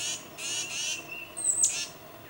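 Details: Tufted titmouse calling its mate, filmed with a Nikon D800 and 600mm lens: a few harsh, buzzy broadband notes and one thin, very high whistle in a short burst against quiet background.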